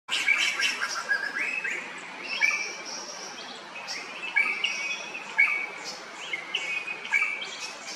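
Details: Drongo calling in Kerala, India: a lively series of clear whistled and slurred notes, some rising, some flat, with sharp chirps, given in rapid bursts over a steady high insect hiss.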